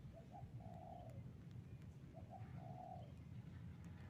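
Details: Spotted dove lure call used for trapping, heard twice at a distance: a couple of short soft notes leading into a drawn-out mellow coo, largely masked by heavy low background rumble.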